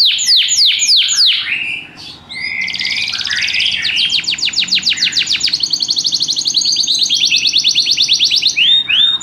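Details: Canary singing rhythmically: several loud descending whistles, a brief pause, then a long, even, rapid trill of repeated sweeps lasting around six seconds, ending with a few curling notes.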